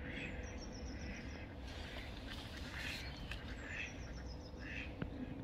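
Black swans give a few short, nasal honking notes over a steady low rumble, with thin, high twittering from small birds.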